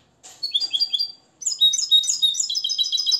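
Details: Limpio song of a Moroccan European goldfinch raised from the nest: a brief twittering phrase, a short pause, then a sustained stream of quick, high, chiming notes.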